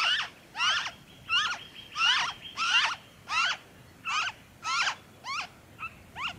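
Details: Noisy friarbird in Victoria, Australia, February 2023, calling loudly and steadily: a run of strong, raspy, bent notes about every 0.7 seconds, with a faint thin whistle in the background.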